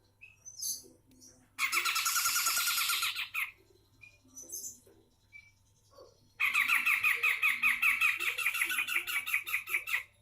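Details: Vigorous song of a Sumatran grey-cheeked bulbul: two sustained bursts of harsh, buzzy, rapidly repeated chattering, the second nearly four seconds long, with soft chirps in between.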